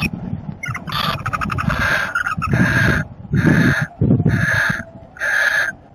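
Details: Barn owls during copulation give harsh, hissing screeches in bursts about a second long, repeated roughly once a second, over a low rumbling background.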